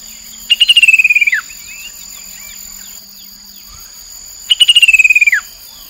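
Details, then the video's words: A chestnut-capped babbler by the Mekong River, Nakhon Phanom, Thailand, 2021, gives two fast, rattling trills about four seconds apart, each under a second and sliding down in pitch, over steady insect drone. "นกกินแมลงกระหม่อมแดง Chestnut capped babbler sound"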